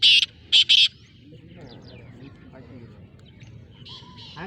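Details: Black francolin, an eight-month-old bird of the Sindhi strain, gives a harsh, rasping three-note phrase: one grating note, then two quick ones close together. Faint chirps from other birds and low background rumble follow.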